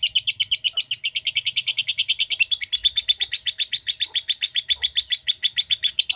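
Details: Long 'ngekek' trill from a lovebird: rapid, even pulses of shrill, buzzy chatter that continue throughout, keeping a level pitch with slight wavering.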